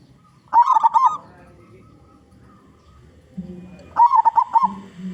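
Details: Local zebra dove with a big voice, used to lure other zebra doves, gives two bursts of rapid rolling coos about three seconds apart, with a short low hum between them.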